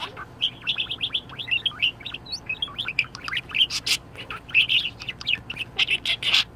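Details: Pet budgerigar in a very good mood, chattering in a lively stream of quick, varied chirps and squeaky warbled notes, rising and falling in pitch with scarcely a pause.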